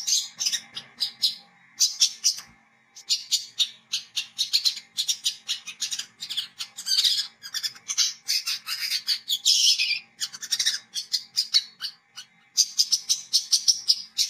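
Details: Kolibri kelapa (olive-backed sunbird) chattering hard, the styles named as ngriwik, ngecret and ngeplong: a long, dense stream of high, scratchy chips and twitters with only brief breaks.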